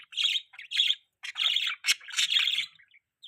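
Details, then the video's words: Budgie mating chirps: a pet bird gives several raspy, chattering chirp phrases with short pauses, plus one sharp click partway through. "budgie chirping sound|budgies mating sounds|budgie beautiful voice"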